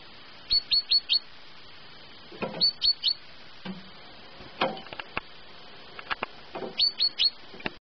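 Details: Pet great tit singing at 6 a.m., short, bright phrases of three or four quick, high, ringing notes, repeated every two seconds or so, with a few dull knocks in between.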